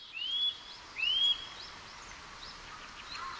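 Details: Eurasian nuthatch singing in Japan: two clear, loud whistled notes, each sweeping upward and then levelling off, spaced under a second apart, over a steady hiss of background noise.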